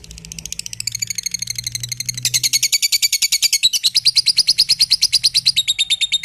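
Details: Lovebird song for training other birds: a high chattering sequence that starts soft and becomes loud, fast and evenly pulsed, ending on a thin sustained whistle.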